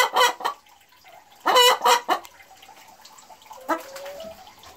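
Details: Boris Brown laying hen calling proudly just after leaving the nest from laying her first egg, 4 December 2016: short harsh clucks, then a louder burst of rough, stacked squawks and one rising cackle note with quieter gaps between.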